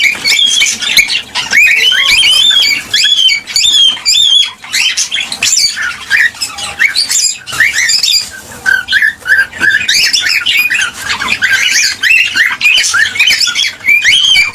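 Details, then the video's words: Cockatiels, in a sound meant to encourage mating and breeding, keep a long, dense medley of squeaky, swooping whistles and squawks going, the flow thinning briefly around the fifth and ninth seconds. "صوت لتحفيز الكوكتيل على التزاوج والانتاج"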